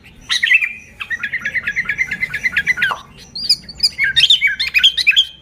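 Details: Sooty-headed bulbul used for luring bulbuls, a rapid series of evenly spaced chirps followed by higher, varied twittering notes.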